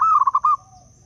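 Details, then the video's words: Wild local zebra dove from Blora, used as a lure for trapping doves: one short cooing phrase of rapid, bubbling pulses at an even mid pitch, trailing into a faint lower note, over a thin steady electronic whine. "Perkutut LOKAL BLORA - suara terbaik untuk pikat dan pancingan perkutut"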